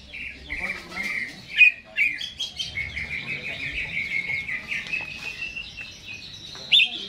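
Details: Greater green leafbird kept in a cage, recorded before being hung, giving a continuous rambling warble of thin whistled notes with occasional louder sharp chips.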